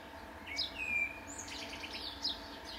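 Italian sparrow giving bright, high chirps and a thin downslurred note, scattered irregularly over three seconds, with a steady faint hum behind.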